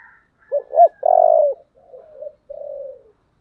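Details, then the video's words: Spotted dove calling in the 'giọng thổ' voice style: two short rising coos, a loud sustained low coo, then two softer, lower trailing notes. The background is quiet. "Cu gáy giọng thổ/ chuẩn thúc và gáy gọi"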